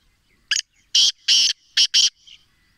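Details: Black francolin in Sindh, Pakistan, giving a loud, harsh, grating call of five buzzy notes within about 1.5 seconds: a short note, two longer rasping notes, then a quick pair of short notes, over a quiet background.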